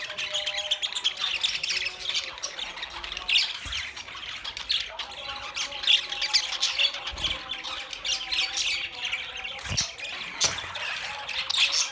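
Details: Budgies chattering nonstop: dense, high, scratchy warbles and squeaky calls in overlapping bursts, plus a few faint low thumps beneath.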